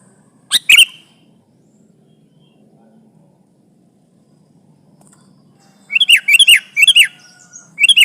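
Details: Sooty-headed bulbul song used as a lure to trap bulbuls and challenge a rival: one short chattering burst, a quiet pause with a low murmur, then a rapid run of repeated bright, slurred notes.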